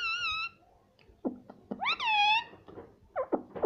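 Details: Pet green ring-necked parrot talking indoors: a bright wavering note, then a loud arched, harmonic phrase rising and falling, followed by short clipped syllables and thumps.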